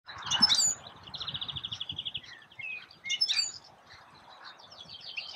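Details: European goldfinch singing in May 2016 at Escherange, France: bright tinkling twitters with a fast buzzy trill run and sharp high chirps, over faint low background rumble.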